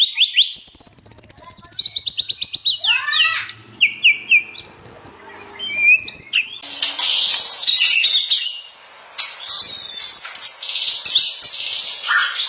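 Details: A white-rumped shama used as a master singer delivers a run of evenly repeated high whistles, then sliding notes, followed by a long, harsh, noisy chattering burst.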